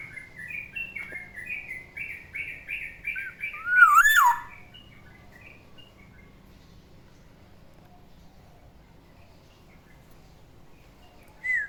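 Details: Caged Black-naped oriole, a pet, singing in the morning: a run of repeated short buzzy notes around the same pitch for four seconds, then a loud fluted rising-falling whistle, followed by near silence and a brief note at the end.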